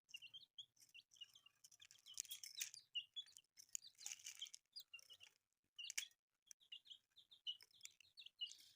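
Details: Newly hatched colourful chicks peeping in a group: short high chirps in quick irregular runs, interrupted by loud broadband clicks and rustling bursts, with a brief quiet gap near the sixth second.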